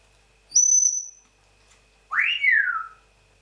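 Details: Pet African grey parrot making noises: a high, steady, pure whistle held for about half a second, then after a pause a lower whistle that swoops up and slides back down, over a faint electrical hum.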